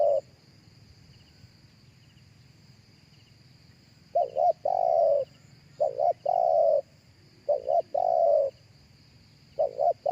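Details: Live cooing of a spotted dove, played through a loudspeaker to lure other doves: repeated phrases of low hooting coos, each ending in a long purred note, about every two seconds, over a steady high insect-like drone and low rumble.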